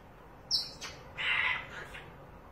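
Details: Caged pet parrot at home, looking at a cat through the window, gives a high, thin whistled note, then a fuller, buzzy, sustained chirp that fades out.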